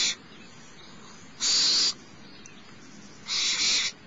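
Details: Youngest barn owlet begging while fed by its mother at Starr Ranch, 6 March 2011, morning: three raspy hissing screeches roughly two seconds apart, the last slightly doubled.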